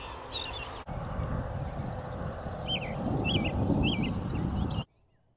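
American Robin singing short, liquid, warbled phrases about every half second over a steady low rumble, with a fast high-pitched ticking trill running behind.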